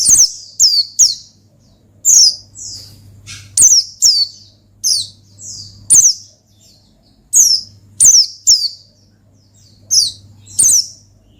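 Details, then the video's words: High-pitched Oriental white-eye song meant to call and provoke a rival: paired and tripled sharp, falling whistled notes repeated every second or two in clipped bursts, a low hum running underneath. "Gacor Ngalas Manggil Lawan Perangsang Burung Pleci"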